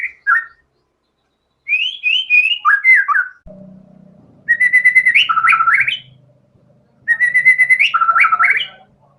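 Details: Shama singing hard, displaying imitated isian material: repeated bursts of rapid, pulsed notes that break into falling and rising whistled slurs, each burst about two seconds long, with a low humming drone between phrases.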